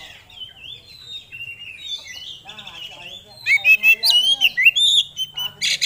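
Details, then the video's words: Varied song from a kept oriental magpie-robin of the sort entered in songbird contests: soft wavering whistled warbles at first, then a rapid loud run of sharp chirps and rising-falling whistles, pulses packed close together. "Kacer Gacor Bongkar Isian"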